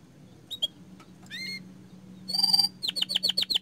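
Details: Lively canary song of high, clipped notes and a short buzzy phrase, building into a fast run of sharp, sweeping repeated notes, with a constant low electrical hum beneath.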